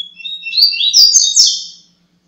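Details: Tui tui zero zero song of a coleiro (double-collared seedeater): a thin starting note, then strong whistled notes that climb and slur into loud, ringing phrases, ending after about two seconds, with a faint low hum throughout.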